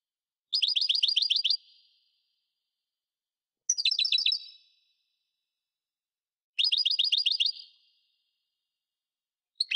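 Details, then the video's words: European goldfinch of the subspecies parva singing: three bursts of about a second each, every few seconds, made of quick, bright, evenly repeated chirping notes, each burst fading into a thin tail, with silence between and no other sounds. "Singing goldfinch - Chant chardonneret parva"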